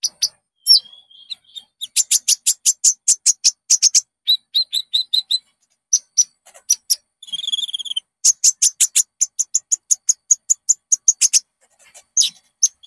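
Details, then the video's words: Konin (Common Iora) song played to lure caged birds into singing: long runs of evenly repeated sharp chips, several per second, mixed with whistles and a short buzzy trill in the middle. "SUARA BURUNG -PANCINGAN KONIN AMPUH JERNIH"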